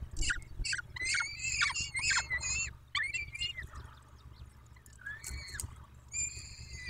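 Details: Peregrine falcons at the nest in Dobra, 14 May 2021, 14:18: a quick series of harsh, harmonic screeching calls, then quieter scratching, and two more wails near the end.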